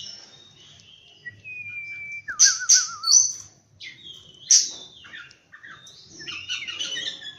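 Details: Oriental magpie-robin singing in the morning: clear whistled notes, sharp high chips, a wavering lower warbled trill, and bright varied phrases in loud bursts with short pauses between.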